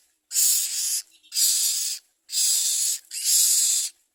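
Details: Common myna adults carrying nestlings to feed their young; four loud, rasping, hiss-like bursts, each under a second long, repeated roughly once per second with short silences between.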